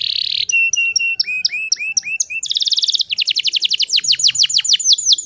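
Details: Female canary song meant to lure males into singing: a buzzy burst, a series of looping upslurred whistles, a rapid rolling trill and quick falling sweeps; soft low hum in the background.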